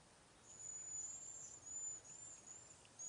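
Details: Cedar waxwing flock in a backyard, passing berries and insects: thin, very high, level hissing whistles, drawn out and run together across most of the stretch, over a quiet hum.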